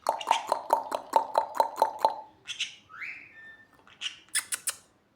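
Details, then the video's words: Pet sun conure giving a run of about ten quick, evenly spaced harmonic notes, then a short rising whistle and a few sharp bursts at the end. "Sun cheek conure"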